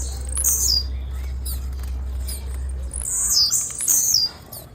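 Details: Female blue-black grassquit calling: high, thin chirps sliding downward, one group early and another near the three-second mark, over a steady low hum.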